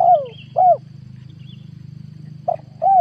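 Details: Lure call of a spotted dove from 2022, used to attract wild doves. The tail of a long descending coo is followed by a rounded short coo, then a new phrase starts with two brief notes. A low hum continues throughout.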